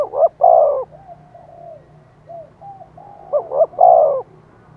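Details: Decoy spotted dove urging wild doves to coo back, giving loud, throaty cooing phrases: paired rolling coos then a softer drawn-out coo, repeated, against a low steady hum.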